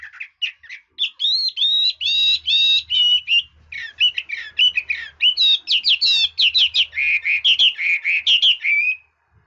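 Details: Red-whiskered bulbul delivering a long, nearly unbroken stream of bright warbled notes that switch between rising and falling slurs, rapid and rhythmic, with a faint low hum underneath.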